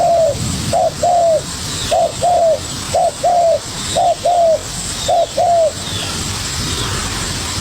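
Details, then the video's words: Spotted dove, a young bird, challenging a decoy with spirited calls: mellow paired coos, a short note then a longer arched one, repeated at roughly one-second intervals, ending in a quiet hissy background. "Chim cu gáy #birds # bổi tơ đấu cực sung với mồi"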